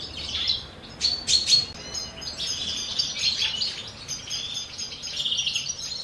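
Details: Captive common chaffinches, a male shared by two females, during courtship and breeding season: a few sharp high chirps, then a busy, bright run of twittering notes lasting several seconds.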